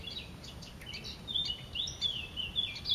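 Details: A pair of great spotted woodpeckers feeding: a busy run of high, chirping and squeaky notes, overlapping and nearly continuous for three seconds, over a faint steady hiss.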